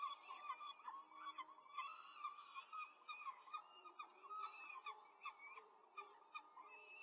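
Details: Peregrine falcon at a nest in Rome, 5 May 2023, during a quick feeding of four chicks, filmed by a nest camera; dense overlapping squeaky, chirping calls repeated rapidly throughout, with harmonic whistled notes.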